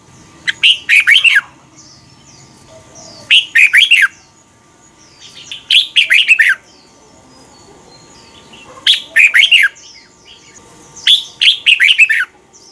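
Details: Red-whiskered bulbul tutor song, played to young caged birds in Thailand for them to copy: five rich, rapid warbling phrases, each under a second long, spaced two to three seconds apart.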